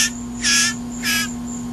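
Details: Hungry hand-fed blue jay shrieking during feeding: three rough, raspy bursts in under two seconds, the middle one loudest, over a continuous electrical hum.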